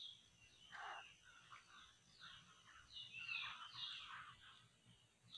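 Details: Laughingthrushes recorded while traps are set to catch them: a busy, overlapping chatter of squeaky, rising and falling notes from several birds, with no pause, against faint low background noise.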